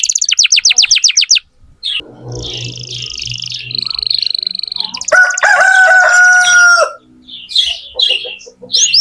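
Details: Canary in full song, played to young canaries so they learn it. Quick descending chirps open, then buzzy sustained rolls, a bright steady whistle with rattling overtones, and scattered sharp notes; low rumbling noise underneath briefly.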